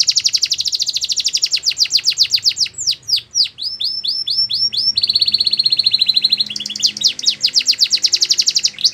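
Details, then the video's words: Belgian canary singing, a song to train young canaries; quick high trills, a burst of plunging swept notes and arched whistles, then a flat sustained buzzy tone and more rapid trilling. "The Best Canary Training Song | Belgian Canary Singing"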